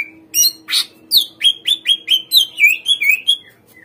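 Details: Greater green leafbird singing a rapid series of slurred whistled notes, about four per second, each dipping and rising, over a faint steady hum; meant to lure captive birds into responding and singing.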